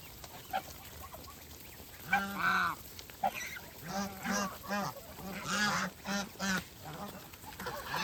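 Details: Geese on a farm while feeding give bursts of nasal honks, short and repeated in quick pairs and runs, with a few loud harsher calls over low background noise.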